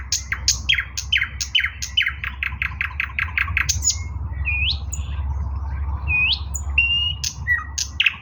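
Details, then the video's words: Eastern nightingale singing on 16 May 2024: a run of repeated sharp descending notes, then spaced pure whistles sliding upward, with a low rumble of background noise throughout. "bulbul ovi vostochniy Nightingale singing Russian соловей восточный"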